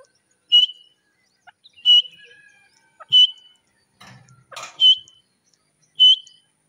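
A grey francolin repeats loud, ringing whistled notes about once every second or so.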